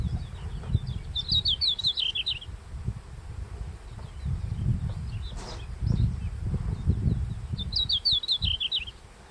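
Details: Red-flanked bluetail singing at sunrise in early July in the Daisetsuzan mountains, the first bird to start singing there; two high, quick phrases of descending whistled notes several seconds apart, over low rumbling background noise.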